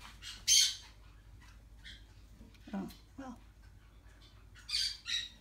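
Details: A four-week-old Yellow-chevroned parakeet (Brotogeris chiriri) gives harsh, raspy screeches, one early and two near the end, with a person speaking briefly in between.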